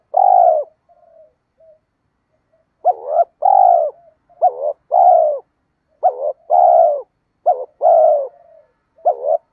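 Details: Spotted dove cooing to provoke sluggish caged doves into answering; after a soft quiet opening, a run of paired coos, short wavering note then longer mellow hoot, repeated in close succession.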